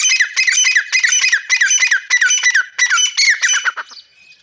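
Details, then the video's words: Partridge known locally as irani teetar, giving a rapid series of harsh, squawky notes, each sliding downward, about three per second, with short pauses between bursts before fading out near the end. "irani teetar ke awaz"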